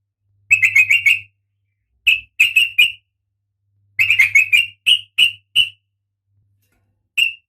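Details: Breeding female oriental magpie-robin calling the male: short clusters of quick, thin, high chirps, several notes per cluster, separated by pauses, over a faint low hum.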